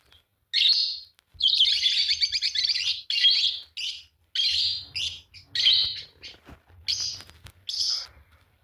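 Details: Shrill singing from a green Fischer's lovebird pair: a long, rapidly pulsed chattering phrase, then a series of harsh squeaky chirps of varying length.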